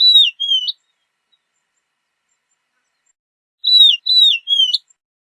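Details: Horned lark giving clear, wavering high whistled notes in pairs and triplets, each note sliding down and flicking up, repeated after a pause.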